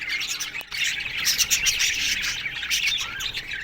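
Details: Caged budgies chirping in an aviary in the morning, busy overlapping warbles with some short, high whistled notes standing out, plus a sharp click early on.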